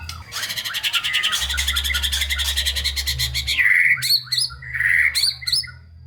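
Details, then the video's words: White-rumped shama song meant to spur lazy shamas to sing: long rapid rattling trill, then a liquid whistled phrase and sharp clicking notes, with low hum in the background. "Murai Batu GACOR Full ISIAN‼️ COCOK untuk Pancingan Murai Malas Bunyi dan Kurang Emosi"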